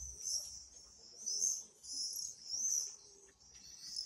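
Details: Common swift screams arriving in four loud, buzzy high-pitched waves about a second apart, with faint low background noise.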